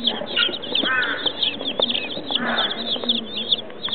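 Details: Many chicken chicks at Tobu Zoo, Japan, peeping constantly in shrill short notes, overlapping in a busy chorus, with a couple of brief harsher, buzzier calls standing out in the middle.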